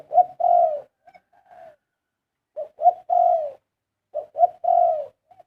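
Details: Big dove giving melodious karam song phrases: clean, mellow cooing in three bursts, each made of a couple of quick short notes followed by a drawn-out descending coo, with soft trailing notes between phrases and otherwise quiet background.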